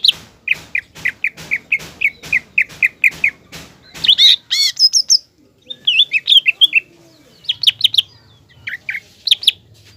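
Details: Green leafbird singing to provoke a spotted juvenile leafbird into fighting spirit: a steady series of about a dozen sharp repeated chirps, then loud warbled whistles and scattered high twittering notes, with faint low hum behind.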